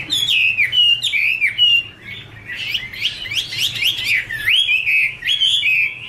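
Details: Caged female Chinese hwamei singing with a male in the background: whistled slurred phrases, then a burst of fast, jumbled chattering notes, before the clear whistles resume.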